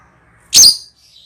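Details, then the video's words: Lovebird ngekek call used to lure birds: one loud, harsh, broadband screech lasting about a quarter second, followed by a faint high trailing note. "Pancingan Love bird ngekek"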